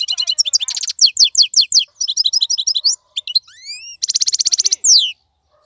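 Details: Wild goldfinch singing in a cage: fast rattling trills, rolling twitters, rising and falling whistled slurs and a dense buzzy trill, delivered almost without pause.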